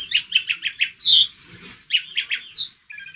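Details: Asian pied starling (jalak suren) song, used to make another bird sing: rapid chirps, a falling whistle, a high buzzy trill, then more chirps and a slurred whistle in a varied, energetic phrase.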